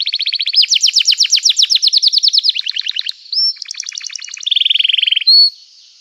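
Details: Canary song in the gacor style, meant to prompt other canaries to sing: fast repeated trills, a rising whistle, a lower buzzy trill, then a long steady tone and a short upward whistle, clean with no other sounds.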